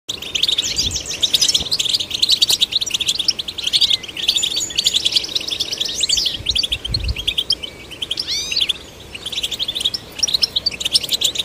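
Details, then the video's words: European goldfinch song used to stimulate goldfinches: dense, rapid twittering and liquid chirps packed high in pitch, with quick rising and falling slurred notes and buzzy trills running almost without pause; faint low thumps at times. "Golden Songbird vocal performance to stimulate the goldfinch"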